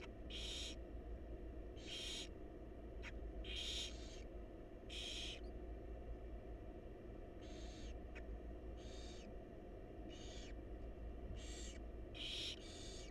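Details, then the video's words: Feeding time in a wild barn owl nest box, the mother tending her chicks, brings a long series of about a dozen harsh hissing begging screeches, roughly one per second, with sharp clicks and low hum. "Barn Owl Mom Lovingly Feeding Her Adorable Babies"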